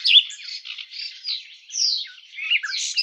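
A garden warbler sings a fast, unbroken stream of mellow, bubbling warbles that rise and fall without clear pauses, with no other sounds.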